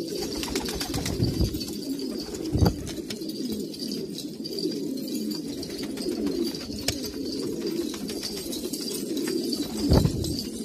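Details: Pure-bred old Kabul pigeons in Afghanistan keep up a low, bubbling chorus of overlapping coos, interrupted by a couple of loud thuds and frequent small knocks and rustles.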